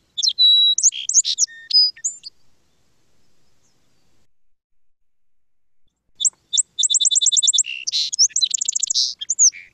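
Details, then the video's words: Two Song Sparrow songs, a very common spring sound in southern Quebec: a few clear introductory notes, then a rapid buzzy trill and jumbled chips, high and bright, separated by a few seconds of quiet. "Song sparrow. He's got great song."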